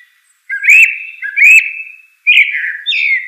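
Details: Common blackbird singing three mellow fluted phrases around mid pitch, each swelling with a rising whistle and trailing off in a long level note, separated by short pauses against a silent background.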